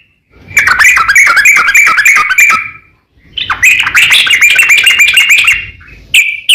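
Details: Sooty-headed bulbul song meant to provoke rival bulbuls into calling back; two long runs of rapid, chattering warbled notes, each lasting about two seconds, split by a brief silence, ending with a short clipped phrase.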